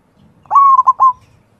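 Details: A local perkutut (zebra dove) voicing one cooing manggung phrase. A mellow, full-toned long note breaks into two short pulsed coos, then trails off in a held final note against a near-silent background.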